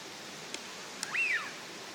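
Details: A wintering Northern pintail (Anas acuta) on a park pond in Chiba, Japan, in January gives one clear whistled note that rises slightly, then slides down, after two soft clicks, over a steady background hiss.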